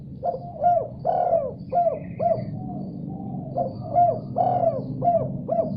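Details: Spotted dove replying eagerly after hearing another call, with two phrases of soft coos built around a stretched, vibrating middle note, a faint higher warble in the background.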